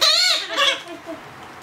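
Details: Begging Blue-headed Parrot chick, two months old, being hand-fed; one loud harsh nasal squawk sliding slightly up then down, followed by a softer wavering call fading out.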